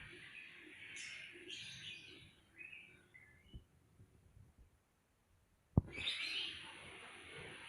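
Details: Birds calling on a sunny morning outside a house in a residential housing complex: short high chirps and twittering early on, a quiet gap, then a sharp knock and renewed chirping.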